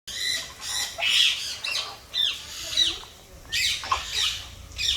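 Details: Parrot giving loud, harsh squawks in repeated bursts about every second, over a low rumbling background.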